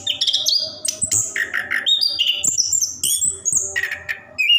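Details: Orange-headed thrush (anis kembang), a caged bird in full continuous song played to prompt lazy birds to sing: rich, fast varied phrases of whistles, sharp chirps and mimicry-like notes jumping between high and middle pitches, barely pausing.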